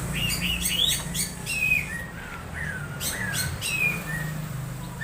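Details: Strange sounds from an Orange-headed thrush: a few sharp chirps, then drawn-out downslurred and upslurred whistles spaced about a second apart, over a steady droning hum.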